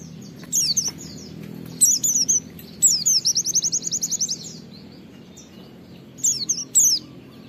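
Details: Oriental white-eye song used to prompt other white-eyes to sing: high down-slurred whistles followed by a rapid trilled run of about a dozen even notes, then further paired whistles.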